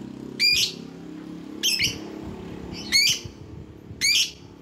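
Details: Lovebird sounds played to call in rivals: four harsh, buzzy squawks spaced roughly a second apart, each a rapid stuttered shriek, over a soft low background murmur.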